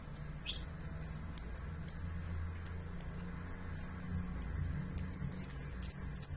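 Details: Saffron finch from Uruguay giving evenly spaced high chirps, about two to three a second, that quicken into a dense, bright flurry of descending notes toward the end.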